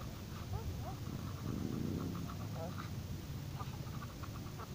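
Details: A new pair of Egyptian geese on a lake's east bank in June 2019 give a few curved, nasal notes, then a run of short, harsh honks repeated rapidly, over a heavy low rumble of wind.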